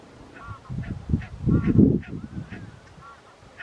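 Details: Short, high, yelping barks from a wintering Barnacle Goose flock at Ouddorp, South Holland, 27 January 2023, several calls in under four seconds, with a surge of wind rumble midway.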